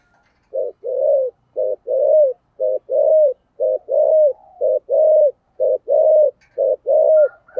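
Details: Spotted dove singing loudly in the 'thổ sấm' voice style: low, hollow coos in quick groups of short and longer notes, some longer coos bending downward, repeated steadily about once a second with no other sounds.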